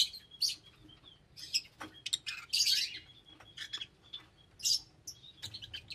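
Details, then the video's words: Lovebirds giving shrill, high chirps and squeaky bursts in an irregular flurry, several overlapping notes with short gaps between busier clusters, over a faint low background hum. "Love Birds Nature Sound"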